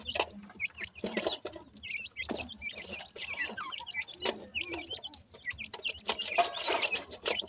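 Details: Grey francolin chicks talking among themselves with rapid, high, wavering whistles and chirps, many birds overlapping, punctuated by sharp clicks and pecking taps.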